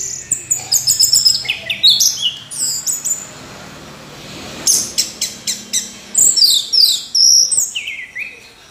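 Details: Orange-headed thrush pouring out a fast, varied song of sharp high chips, squeaky slurs and rattling bursts, broken by short pauses and resuming in dense clusters.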